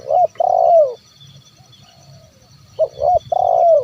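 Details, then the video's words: Spotted dove 'kuk 1' lure call for drawing wild doves to sing: two phrases of low mellow coos, each a brief doubled note then an extended coo gliding downward, separated by a quiet gap. "SUARA TERKUKUR KUK 1 MEMANGGIL BURUNG LIAR"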